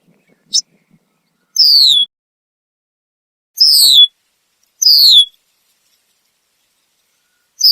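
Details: Red-winged blackbird perched in a tree in Southern Ontario, Canada, giving loud alarm calls, possibly at an animal nearby; short high descending slurred notes, three main calls roughly every one and a half seconds, otherwise quiet.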